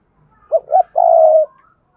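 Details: Single full phrase of a Đồng Nai spotted dove used as lure sound: two brief soft coos followed by a drawn-out mellow croo, with a faint higher tone above it.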